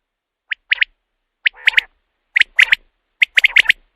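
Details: Quail lure used after dark for hunting, a common quail giving crisp high three-note 'wet-my-lips' phrases about once a second, one with a short buzzy undertone.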